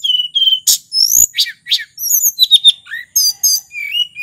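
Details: Native sulingan from Mount Merapi singing loudly, used to draw and stimulate tledekan flycatchers: steady whistled notes, rising slurs and high sweeps, ending in a few short falling whistles.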